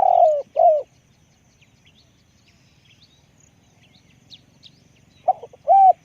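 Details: Spotted dove with a big voice: a long falling coo and a shorter one, about four seconds of quiet with faint high chirps, then a clipped note and another hooked coo.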